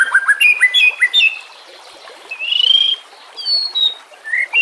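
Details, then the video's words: White-rumped shama song for training or luring shamas: quick chipping whistles, a short buzzy trill, then scattered high clear notes and a rising whistle. "Dalam Hitungan Menit Saja Murai Batu Langsung Merespon Dan Ikut Bunyi Dengan Pancingan Ini"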